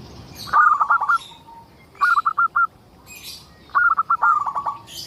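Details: Local zebra dove in constant song used as a lure for other zebra doves; three phrases of rapid, rhythmic cooing beats roughly every two seconds, with higher chirps of other birds between them.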